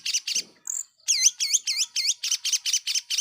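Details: Lure song of a long-tailed shrike, used to provoke rival shrikes: after a few harsh chirps, a rapid series of bright, bowl-shaped whistled notes repeated about four times a second.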